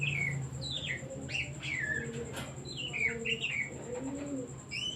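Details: Oriental magpie-robin singing, its song used as a lure to rouse other songbirds into singing: clear whistled notes, slurred downward and upward, in quick phrases, over low repeated dove-like cooing and a steady high-pitched whine.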